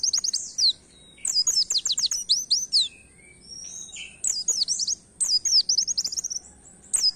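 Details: Canary-style singing by an Oriental white-eye, aimed at stimulating songbirds; repeated short bursts of very high, rapid downslurred chirps separated by brief pauses and thin whistles.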